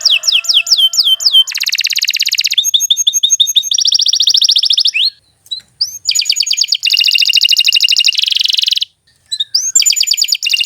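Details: Canary singing a long, varied master song for training young songbirds, switching between descending whistles, dense buzzy trills, rattling note runs and brief pauses, with phrases repeated in several bursts.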